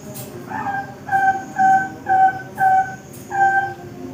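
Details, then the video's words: Bangkok-type zebra dove song for training caged birds: five or six separate, mellow, hollow notes at a steady pitch, spaced about half a second apart, over a faint background hiss. "Suara Masteran Perkutut Bangkok"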